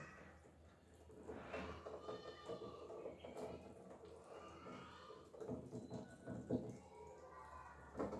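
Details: Young ducks, three together, playing and feeding: scattered reedy, harmonic calls come in short bursts between quieter stretches, with some dabbling and shuffling noise and a constant low hum.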